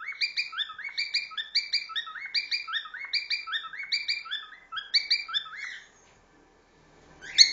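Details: A caged cockatiel, the most vocal of three kept together, sings a fast run of short, repeated whistled notes that waver up and down, with the other two sitting on the cage in the background.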